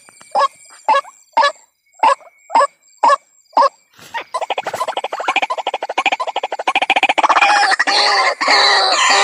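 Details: White-breasted waterhen lure call, played to attract waterhens: seven loud, harsh, separate croaking notes about every half second, then a dense, fast run of rasping pulses that grows louder and thicker toward the end.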